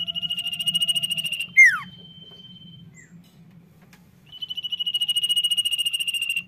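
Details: Common iora in lively, vigorous song: a long pulsed trill on one steady high pitch, then a sharp falling sweep, a thin sustained whistle, a pause, and the buzzy trill again.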